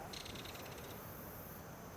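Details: Belted Kingfisher flying by along a creek at Wheatley Provincial Park, Ontario, in fall: a quick, dry, clicking rattle lasting under a second, over a steady rushing background hiss.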